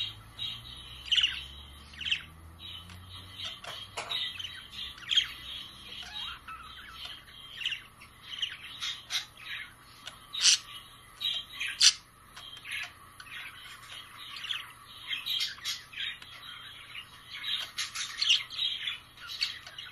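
Budgerigars chatter with a busy stream of bright, scratchy chirps and squawks.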